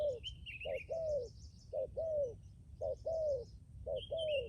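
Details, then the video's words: Decoy spotted dove repeating its two-part coo, a short lead note and a drawn-out falling note, four phrases in a steady rhythm while small birds chatter and trill high in the background. "cu gáy mồi cứng gù hậu bền"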